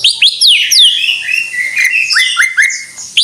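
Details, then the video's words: Greater green leafbird in energetic song: dense, varied whistling with steep downward-slurred notes. Level whistled tones and a quick series of rising chirps near the end follow without pause. "Suara Burung Cucak IJO FULL Gacor"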